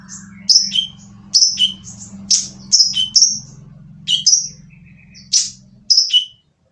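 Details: Rough-voiced oriental magpie-robin song used to prompt other magpie-robins to sing: sharp high chirps and short whistled notes in separate bursts about every second, over a steady low hum.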